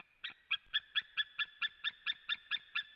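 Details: A white-tailed eagle at its nest in Latvia on 17 July 2017, recorded by webcam. It gives a steady run of eleven sharp, ringing yelps, about four per second, at an even pitch.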